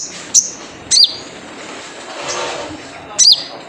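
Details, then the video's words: Typical wild sogon (sunbird) call, a lure for prompting kept birds to sing: three thin high piercing chirps, each dropping in pitch, separated by pauses over steady background hiss. "Jrejet Cuit Suara Panggilan Khas Sogon Liar untuk pancingan sogon agar gacor"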